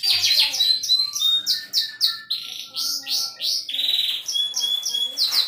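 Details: Canary singing cengkok merdu style: bursts of high chirps and downslurs, a few pure whistled tones, a rich buzzy trill near the end, varied and energetic with hardly any gaps.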